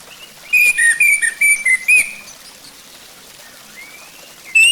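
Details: Lure recording of orange-headed thrush song to make the bird sing: a run of clear whistled notes, slightly falling and repeated about twice a second, then quiet and a faint rising whistle.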